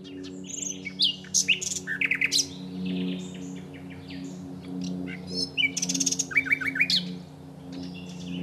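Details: Common nightingale filmed at the Aiguamolls park, singing rich, varied phrases of fast repeated notes, rattling trills and clear whistles, with pauses between bursts, over a steady low background hum.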